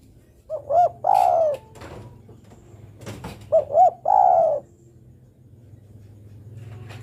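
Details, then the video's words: A female spotted dove calls the male with two phrases, each two quick rising notes and then a longer falling coo, against faint background clatter and hum. "Suara burung derkuku betina memanggil jantan."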